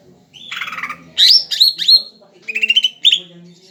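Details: A tame greater green leafbird in full, lively song. It gives a varied run of phrases: a descending buzzy note, loud sharp upswept whistles, then quick rattling trills rising toward a final clear note.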